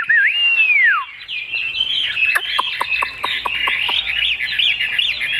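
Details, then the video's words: A caged Chinese hwamei with a large tail opens with a long whistle that rises, holds and then falls, before moving into busy, varied warbling mixed with sharp clicking notes. "Họa mi đuôi lá vả bóng bộ đẹp hót hay"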